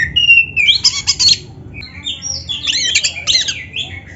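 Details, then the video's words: Training song of an Oriental magpie-robin: a long sliding whistle followed by a rich burst of mixed squawks and chatters, a short gap with gliding whistles, then another dense twittering, harsh phrase over faint low hum. "Suara Burung Kacer yang Cocok Buat LATIHAN"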